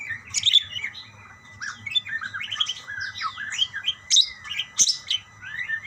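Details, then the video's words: Budgerigars calling in reply to one another: a fast warbling stream of bent, slurred notes and sharp clicks, with a couple of loud chirps near the end. "burung parkit bersautan"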